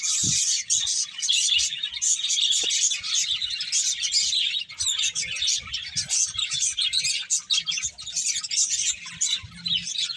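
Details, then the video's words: Many finches feeding, with rapid high chirps and tweets overlapping in a lively, constant chatter and faint low thuds. "Cute Finches Chirping Sounds"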